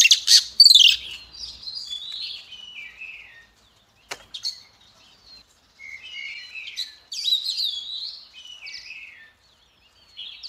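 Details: Female Oriental magpie-robin singing to provoke males: scattered whistled phrases and slurred notes in separate bursts with short silent gaps, opening with a louder, busier flurry.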